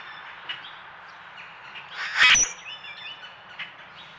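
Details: A Common Grackle close to a backyard trail camera gives one brief, harsh, squeaky creak midway through its puff-up display, over faint chirps from other birds.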